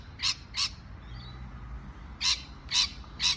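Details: Harsh parrot chirps, two quick notes, a pause with a faint soft whistle, then three more rasping bursts near the end, over low background rumble.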